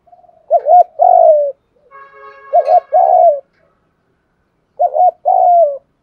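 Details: Decoy spotted dove cooing to lure wild doves: three matching two-part phrases roughly two seconds apart, each a quick wavering note and a drawn-out falling hoot, with a faint steady tonal hum between the first two.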